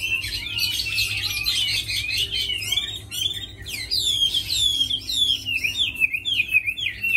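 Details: Tame Chinese hwamei kept caged, praised for fighting and singing, giving a sustained, vigorous warble of quick trills and sweeping slurred whistles with a brief lull near three seconds.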